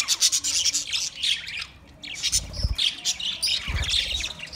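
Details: Many budgerigars, twenty pairs, giving bursts of shrill chirps and squawky warbles, a brief lull near the middle, then louder chatter with low bumps.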